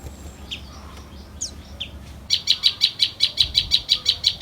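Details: Small, quick common tailorbird nestlings beg as a parent returns with a caterpillar: a few scattered soft chirps, then a steady rapid series of bright high chirps, about three per second.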